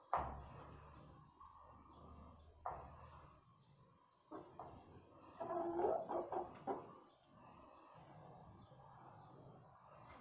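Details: Chickens in their roost area, heard as low, hoarse clucks in scattered bursts, with a denser cluster of quick overlapping clucks near the middle and quiet background noise between.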